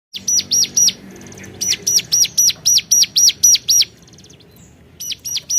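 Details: Hill prinia calling to rivals: bursts of loud, high arched notes, each falling then rising, repeated about four per second in runs of three and eight, separated by brief pauses with faint softer ticking.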